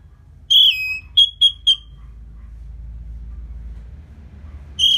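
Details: Orange-headed thrush after moulting, used to stir the bird into aggression: a slurred descending whistle, then three short clipped whistles in quick succession, a pause, and another whistle beginning at the end; faint low hum throughout.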